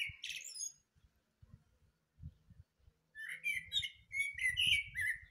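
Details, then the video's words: Thrush morning song: a short whistled note, a pause with soft low thumps, then a long lively string of fluty whistles mixed with high chirps and twitters. "Пение Дрозда"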